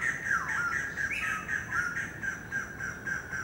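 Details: White-crested laughingthrush calling: a continuous loud, harsh chattering squawk around a steady mid-high band, with rapid rough notes running together throughout and a faint higher overtone band.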